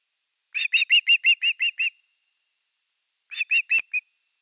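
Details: Osprey recorded by a live nest camera at nest #3 on 30 August 2021 during the evening fish; seven clear whistled chirps in a row, a silence, then four more.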